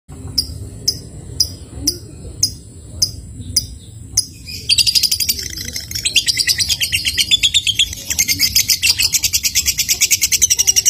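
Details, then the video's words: Lovebird giving the ngetik then ngekek sound, meant to set other lovebirds chattering: sharp typing-like clicks about twice a second, then a long, fast, high chattering trill of rapidly repeated notes. "Lovebird ngetik sambung ngekek ampuh bikin Lovebird lain ikut ngekek"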